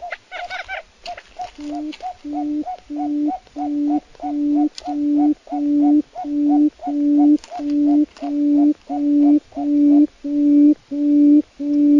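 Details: Quail giving a long, highly regular series of two-part calls, each a brief higher note joined to a steady low hooting tone, repeated roughly every 0.7 seconds with no other sounds.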